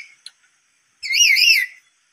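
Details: A black-capped lory, provoked by a lure sound, calls loudly: one shrill, wavering screech lasting about three-quarters of a second, after a brief faint click at the start.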